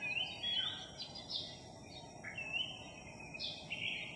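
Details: A Philippine magpie-robin from a skittish flock newly arrived in a village sings a varied run of clear whistled phrases, some sliding upward and others dropping, over a steady background hiss; recorded 3 July 2021.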